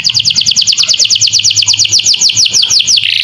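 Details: Domestic canary masteran song with lovebird-type phrases, for teaching young birds: an even, rapid trill of bright chirps, about three per second, held steady almost throughout before a brief change at the end.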